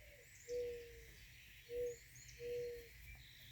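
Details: Dove perched on wires on a calm, mild April 18 morning, apparently calling back and forth with another, gives three low, soft hooting coos about a second apart, over faint hiss and a distant higher bird note.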